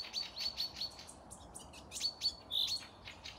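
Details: May birdsong in forest by Panika village, Torzhok district, Tver region: quick high twitters and sharp ticks, a run of short whistled pips at the start and a brief held whistle near the end.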